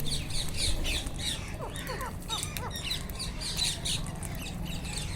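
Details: Wild Indian ringneck parakeets calling: many harsh, squawky notes with quick downward-sweeping shrieks, overlapping in a busy flock chorus over a constant low rumble.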